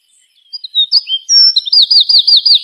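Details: Bird singing on a dry branch at sunrise: a few thin whistles build into a rapid series of high, bouncy repeated chirps.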